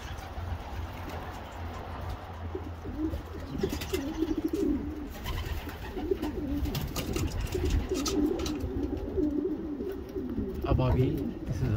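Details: Racing homer pigeon giving soft low coos in irregular runs over steady background noise and scattered clicks and rustles.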